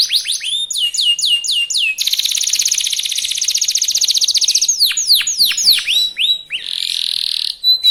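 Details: Fast lure song of a young local canary, sung to set other canaries singing: repeated down-slurred whistles, then a dense rapid buzzing trill, more sweeping whistled notes and a final steady trill.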